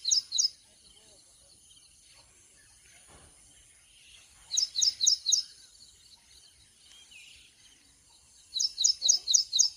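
Oriental magpie-robin giving short bursts of four or five quick, high, sweet notes, repeated about every four seconds over a faint background hiss.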